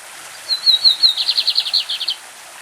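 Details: Classic song of a champion bigodinho, or lined seedeater: short whistled notes lead into a steady, fast trill of buzzy notes, then the song stops. A brook flows quietly in the background.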